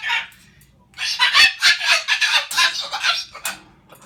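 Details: Pet Moluccan cockatoo indoors, angry at its owner for cleaning up its nest of shredded fruit and vegetables on a kitchen table: loud harsh raspy screeches in rapid irregular bursts, one short call then a long run of squawks.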